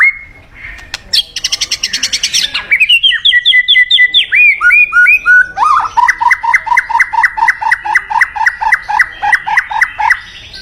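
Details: White-rumped shama song used as a decoy to call in a mate: a harsh buzzy rattle, then a run of clear slurred whistles, then a long rapid series of repeated sharp whistled notes.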